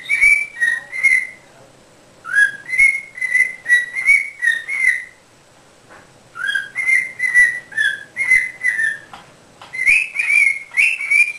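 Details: Quaker parrot practicing chatty talk, giving runs of clear whistled, speech-like syllables in quick succession, about eight per burst, in three phrases split by brief pauses.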